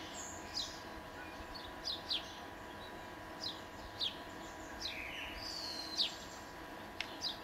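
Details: Italian sparrow giving a series of brief, high, downward-sweeping chirps at irregular intervals, some in quick pairs, with softer overlapping chirps and a constant low hum behind.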